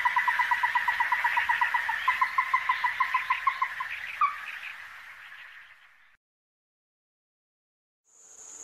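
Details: Ruddy-breasted crake, a resident bird of the endemic Taiwan subspecies, recorded at Donggang River, Taiwan, on 14 December 2023. A rapid series of short clipped notes, about three per second for four seconds, slowing into a fading trill, then silence.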